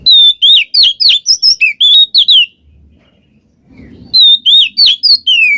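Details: Oriental magpie-robin in ngeplong ngekek song, used to draw a quiet bird into singing: fast, loud whistled phrases with bends and slurs, a gap of about one and a half seconds with faint low noise, then another lively run.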